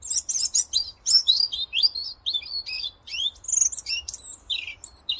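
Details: A European robin in Cornwall sings to mark his territory, a fast, tumbling run of high, thin, liquid notes and trills, shifting pitch constantly, with no other sounds intruding.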